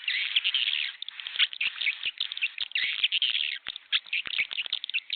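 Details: Lure recording of swiftlets meant to call a flock into a new bird house: loud chattering twitter for the first second, then scattered chirps and trills with sharp clicks between them.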